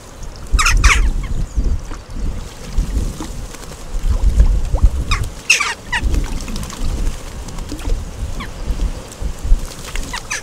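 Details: Jackdaws bathing as a group at a bird bath, Recke, Germany, recorded 5 May 2021. Bursts of short, abrupt calls break through continuous loud splashing and fluttering in the water.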